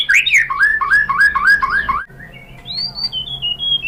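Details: White-rumped shama singing as a provocation lure for other shamas: a run of five rolling, looping whistled notes, followed by thin high sustained whistles that step up and down.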